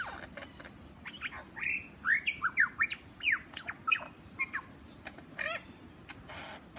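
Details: Wild lyrebird in Australia vocalising near a man who appears to hold its interest: a rapid jumble of sweeping, squawky whistled notes, some rising and some falling, with sharp clicks before and after.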